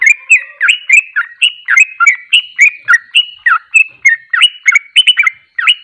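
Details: Fast, unbroken ropelan delivery from a Sooty-headed bulbul, called trucuk: dense chains of short whistled notes, some rising and some falling, rolling on for six seconds.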